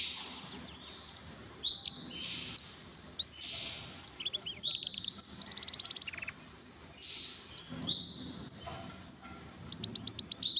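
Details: Caged canaries in a home aviary, kept while eating boiled egg, give bright high warbling phrases of rapid trills and whistled notes in bursts, with quiet pauses and faint background murmur.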